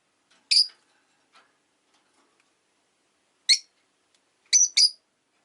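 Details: Rosy-faced lovebird kept as a pet, chirping lazily in the afternoon: one sharp buzzy note, a long silence, then a single chirp and a quick double, otherwise quiet.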